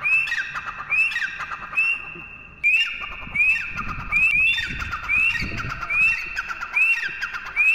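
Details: Calling partridge (teetar) delivering quick rising whistles in close succession, several notes overlapping at times, a brief lull near the third second before the shrill upslurred series picks up again.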